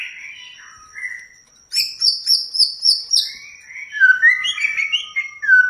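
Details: White-rumped shama song played to excite a kept shama into full song: soft whistles, then a run of about six repeated high, clipped notes, ending in fluty, swooping phrases of varying pitch.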